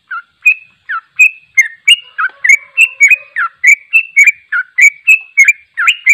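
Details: Sooty-headed bulbul singing in the rapid, continuous ropel style: bright chirping notes that slide down and up, delivered about three per second in an unbroken chattering run with no other sounds.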